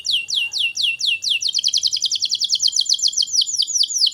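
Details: Canary song for training young canaries: evenly spaced arched high notes speeding into a quick rolling sequence of descending notes, steady throughout.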